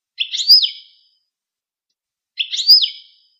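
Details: Goldfinch singing two matching brief phrases, each a high twittering burst ending in a swift falling slur, spaced roughly two seconds apart on a silent background.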